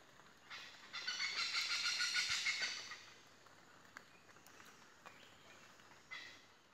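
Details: Several Indian pied hornbills feeding on fruit in the treetops overhead in Khao Sok forest, Thailand, in the morning: a harsh, grating, rapidly pulsed cackle for about two seconds, later a shorter squawk, over a soft forest hiss.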